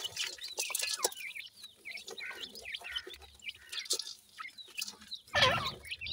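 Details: Grey francolin chicks of the Sindhi type peeping busily as they feed, thin rising and falling cheeps in quick succession, followed by a louder rustling thump near the end.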